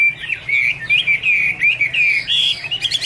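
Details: Chinese hwamei, close and loud, giving smooth whistled notes that swoop up and down in quick succession, closing with a brighter higher phrase.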